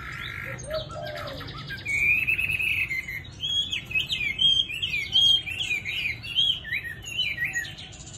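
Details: Chinese hwamei, a tame caged songbird, singing a rich varied phrase of loud whistled slurs, rising and falling notes and quick trills, preceded by a few lower chattering sounds.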